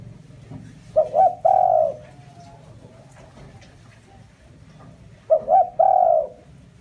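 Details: Spotted dove lure call: two cooing phrases, each with two short low notes then a long, drawn-out coo, separated by a pause of about three seconds over faint background hum.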